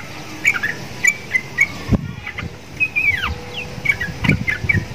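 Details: Vigorous song from a caged sooty-headed bulbul, said to resemble the neighbouring Javan myna. Brief chirped phrases with one long downward-sliding whistle, over light background knocks.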